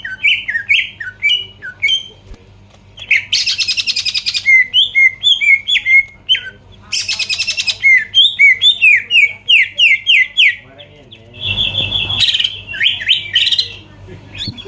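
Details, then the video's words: Greater green leafbird singing to provoke rivals into responding: long run of quick downslurred whistled notes, about four per second, broken by two dense scratchy buzzing bursts and a wavering whistled phrase near the end. "PANCINGAN CUCAK IJO GACOR BUKA PARUH BIKIN LAWAN CEPAT ON LANGSUNG EMOSI DENGAR SUARA INI"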